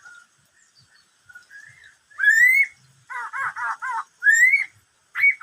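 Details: Black-throated laughingthrush singing: soft low whistles building to loud rising slurred whistles, a cluster of three warbled notes, then another rising whistle and a final burst, clean with little background.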